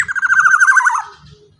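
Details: Black-naped oriole kept as a lure for other orioles: one loud, throaty, pulsing rasp that holds steady, then slides down and fades.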